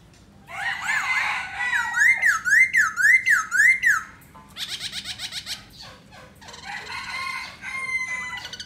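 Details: Black laughingthrush singing and dancing: loud clear whistled phrase of about five rapid rising-and-falling loops, then rattling buzzy notes and further scattered whistles.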